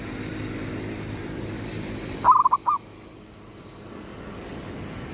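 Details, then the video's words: At sunrise, a zebra dove delivers one brief gedong mengo lure phrase: a clear opening coo followed by three or four quick bubbling notes, set against constant low background noise. "suara pikat perkutut gedong mengo,manggungnya pas menyongsong mentari terbit"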